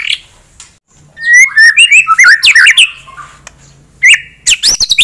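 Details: A white-rumped shama sings to provoke a rival bird's aggression, giving a burst of twisting, slurred whistles that swoop up and down, then a pause, a single upturned note and several quick high chirps.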